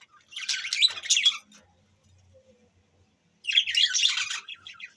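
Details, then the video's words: Budgerigars chirping, recorded December 25, 2023: two bursts of dense, buzzy, warbling chatter separated by a quiet gap of about two seconds with faint low clicks. "chirping sound budgies birds"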